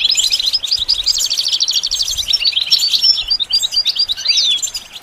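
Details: Continuous high twittering from a goldfinch used in song training, with a fast rattling trill early on, then varied chirps and thin whistled slurs.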